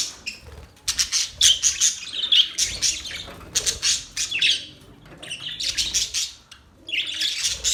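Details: Budgerigar chirping comes in quick, choppy bursts of grating high twitters, several per second, broken by short silent pauses, with one longer quiet spell near the end.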